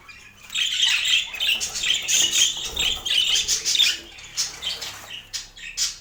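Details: Several budgerigars chattering while eating healthy food, with squeaky, scratchy warbles rising and falling in quick irregular bursts, loud and close, indoors.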